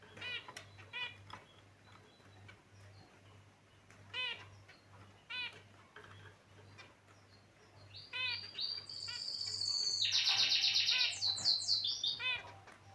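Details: Pet finches in a cage give spaced, nasal, buzzy chirps, then a louder high trilling twitter builds for the last few seconds over a faint low hum.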